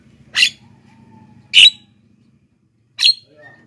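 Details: Black-winged myna in active voice, used as a lure for wild birds and to prompt reluctant captive singers: three rasping, noisy squawks spaced over a second apart, with a low background hum early on.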